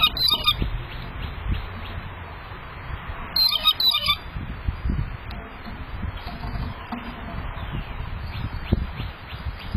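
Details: A Blue Jay calling loudly in the background near a male hairy woodpecker gives two loud, harsh, rasping jeers about three seconds apart, over a steady low rumble of wind or outdoor noise.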